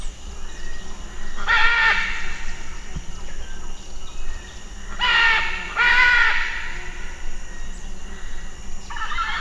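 A macaw gives four harsh, raspy squawks, each about half a second long, spaced irregularly over a low steady background hum.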